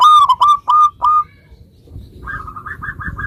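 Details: Zebra dove of the local type, singing to prompt replies: four loud, clipped cooing notes, then a faint, quicker run of softer notes after a short gap.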